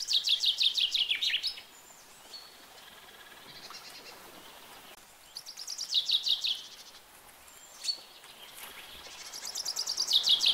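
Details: Gentle common chaffinch song in three phrases spaced a few seconds apart. Each is a quick run of repeated chipping notes that descends in pitch and closes with a flourish. Fainter bird notes fill the gaps.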